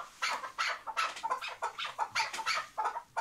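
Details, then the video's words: Tethered chukar partridge from Şırnak, Turkey, giving a rhythmic series of short, harsh chuck notes, about three per second, unevenly spaced, with a faint background hiss. "ŞIRNAK KEKLİK SESİ | Bağlı Keklik Sesi"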